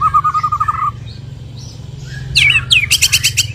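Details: White-rumped shama after its moult: a low, even rattling trill at the start, a quiet gap, then a sudden loud burst of sharp high notes and a rapid chatter.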